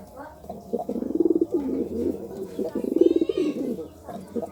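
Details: Low, bubbling pigeon coos during courting, delivered as pulsing rolls with short breaks, two louder peaks standing out, over a quiet indoor-sounding background.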